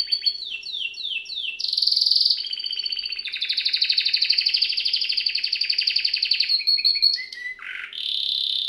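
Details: Canary sings a rapid sequence of falling chirps, a loud harsh burst, then a long rolling rattle of quick repeated notes, ending with lower slurred whistles.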